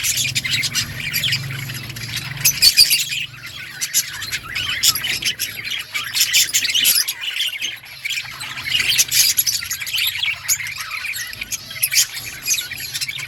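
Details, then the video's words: Outdoor colony of budgies giving a continuous mass of high chirps, squawks and warbles from many birds at once, loudest bursts around three and nine seconds, with a low background hum throughout. "Parakeet sounds in outdoor colony Budgies chirping sounds"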